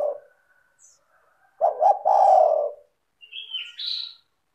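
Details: Spotted dove cooing as a lure for other doves: the end of one coo, then a stuttering deep phrase with a long drawn note, followed by a higher two-step whistle from another bird.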